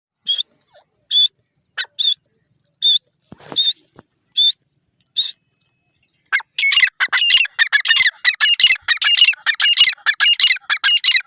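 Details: Grey francolin, known locally as teetar, calling: several short clear whistled notes spaced about a second apart, then a dense burst of harsh, rapidly repeated grating notes in the second half.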